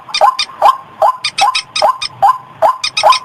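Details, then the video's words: White-breasted waterhen lure recording, said to draw birds in rice fields, gardens and streams: rapid upslurred croaking notes about two and a half per second, with harsh, higher clicking bursts between them. "suara pikat burung ruak-ruak"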